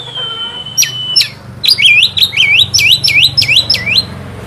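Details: Oriental magpie-robin song played to provoke another bird: a long level whistle, two sharp notes, then a steady fast series of about nine swooping, looping whistled notes.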